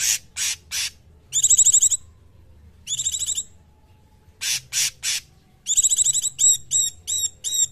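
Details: Cungkok bird song used as a masteran tutor recording: loud harsh buzzy bursts alternate with rapid trilled rattles in two stacked high bands, then a fast series of short chirps at the end.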